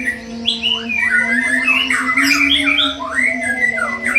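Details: A young wild-caught white-rumped shama from the forest sings loud, varied whistled phrases of sliding, rising and falling notes, delivered in a rapid flowing series, over a steady low droning hum.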